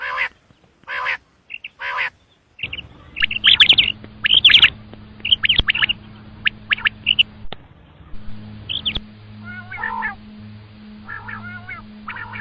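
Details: Common quail calling: quick bursts of short, bright, rising notes, often grouped in threes, repeated irregularly against a low steady hum, with a few harsher broadband calls between them.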